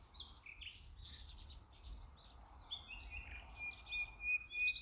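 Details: Common nightingale singing among green meadows in the wild Ribagorza region of Spain, a rapid, varied run of high chirps, trills and thin whistles.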